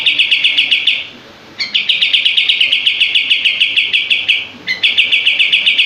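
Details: Common iora (kapas tembak) singing as a master song for training, a rapid close-set series of bright buzzy notes in long bursts, each burst breaking after a pause into another fast rattling run of repeated notes.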